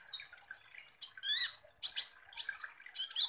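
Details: Kolibri ninja sunbird singing vigorously as a lure for other birds: quick high warbled phrases with stacked rising and falling squeaks, then loud sharp chip bursts at short intervals.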